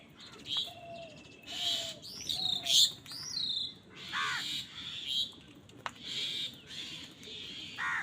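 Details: Crows fighting for food in Bangladesh give loud, harsh, rasping caws in short bursts, some with a stacked, nasal quality. Sharper chirps and twittering from smaller birds are mixed in, over a steady low background hum.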